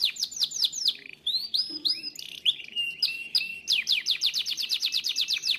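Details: A Timbrado canary, a powerful singer, sings a fast, varied song: quick high chips, bubbling rolls and sliding notes, ending in a rapid repeated trill.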